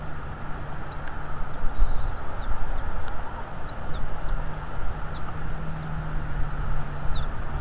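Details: Wild bald eagle at its nest in northeast Florida, February 2, 2022, late afternoon, on a nest camera. Clear, high, slurred whistles rise and then fall sharply, about six in a row at short intervals, over heavy low wind-like roar.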